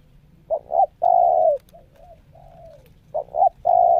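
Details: Captive spotted dove decoy in its second training session, showing the styles called nekan nguku, selang nguku and meratus nguku: low hooting coos, two short rising notes then a long steady drawn coo, repeated twice, with soft murmurs between.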